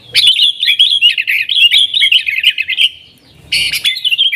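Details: Yellow-vented bulbul singing energetically in 'nggaruda' style to attract wild sooty-headed bulbuls; a fast string of bright, slurred chirps lasts nearly three seconds, then after a short silence a harsher burst starts another phrase.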